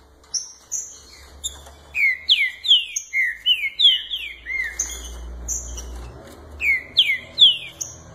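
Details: Owned green-winged saltators, early in the season, sing series of rich, down-slurred whistled notes in quick bursts, interleaved with short thin high whistles, phrases repeating over several seconds with a low background hum.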